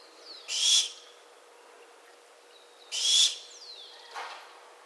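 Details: Two rasping screeches from a barn owl about two seconds apart, followed by a weaker, lower hiss; brief falling chirps of other birds accompany the calls.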